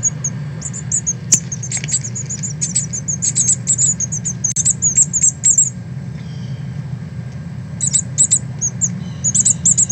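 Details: Northern cardinal fledglings leaving the nest and learning to fly, 13 August 2020, from a live stream: bursts of short, very high chirping notes in quick runs, a pause near the middle, then more rapid chirps over a low steady hum.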